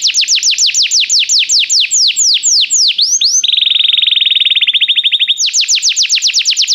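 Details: Training song of a Belgian canary: quick falling whistled notes repeated in a run, breaking into a fast, level, rattling trill, then returning to the bright descending whistles.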